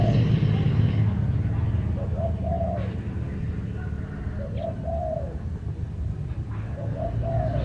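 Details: Bird singing, with short low cooing phrases of a few rising and falling notes, repeated about every two to two and a half seconds, over a constant loud low rumble.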